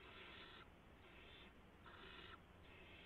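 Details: Barn owls at night on March 16, 2016, an adult delivering a gopher to the owlets. Four muffled, rasping hisses of about half a second each, fairly quiet.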